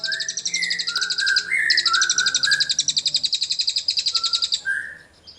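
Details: Captive cililin recorded as filler song for training magpie robins, giving a rapid high stuttering trill of evenly pulsed notes broken by lower clear whistled slurs from another songbird.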